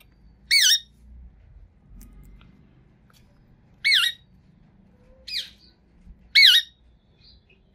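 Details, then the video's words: A green Indian ringneck parakeet, a talking pet, gives four sharp, high, wavering squawks spaced irregularly a second or two apart, with faint room hum behind; Rose-ringed parakeet. "Green Ringneck Parrot With Sweet Voice Talking"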